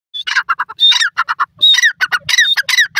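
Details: Grey francolin (dakhni teetar) calling: rapid, harsh, squawking notes mixed with sharp rising whistled phrases, densely repeated through the whole stretch with no other clear sounds.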